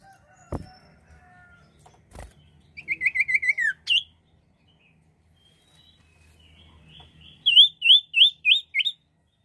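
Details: Common iora song as a bird lure: clicks, then a quick trill of about eight notes sliding downward, pause, and a run of six rising whistled notes at a steady pace.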